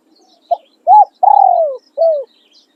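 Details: Crowing spotted dove used to lure wild doves: a clipped opening note, an arched coo, a long buzzy falling purr and a final sliding coo, clear and close. Light distant chirps.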